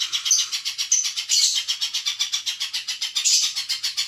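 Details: Spiderhunter song for bird training: a continuous stream of high, harsh pulsed notes at just under four per second, swelling louder briefly around the middle and again near the end.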